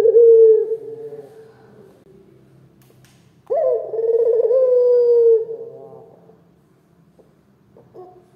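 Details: Loud local turtle dove used to make listening doves respond: a low coo trails off, then after a pause a long, steady, rolling coo of about two seconds, followed by a faint short note.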